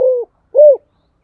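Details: Part of a spotted dove's 'giọng thokiểu' song: two loud, smooth cooing notes, the second arching up and down, separated by a short silence.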